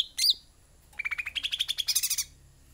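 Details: A sooty-headed bulbul gives one sharp, high chip, then after a pause a fast pulsing trill that climbs gradually higher over about a second.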